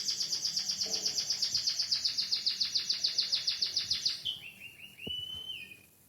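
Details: White-headed munia singing a canary-like song: a fast series of high, buzzy trilled notes repeated about three to four times a second for four seconds, then a few short rising chirps.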